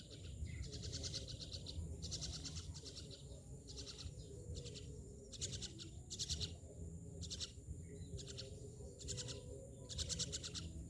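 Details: Harsh, grating myna calls come in short broken bursts, about one a second, some slightly longer, over constant low background rumble.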